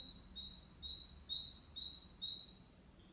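A tit sings a bright, high two-note phrase, the first note higher than the second, repeated briskly about six times in three seconds over a faint low hum.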